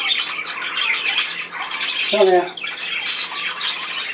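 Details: Budgerigar flock warbling with high, fast chirps and a short rattling trill, plus a brief lower voice partway through.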